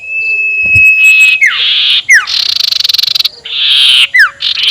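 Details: Sirtu (ashy tailorbird) ngekek call as a lure for rivals: a sustained high whistle, then harsh buzzy rasping blocks broken by sharp downward-sliding notes, with a fast rattling stretch in the middle.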